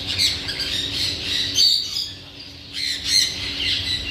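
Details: Parrot giving harsh screechy squawks in two bursts separated by a brief lull about halfway through, a low hum continuing underneath.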